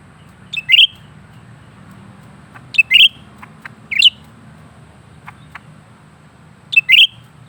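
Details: Continuously singing lesser green leafbird giving four separate high chirped bursts, each a tight double or triple note group, spaced about a second apart, with soft clicks and a low background drone.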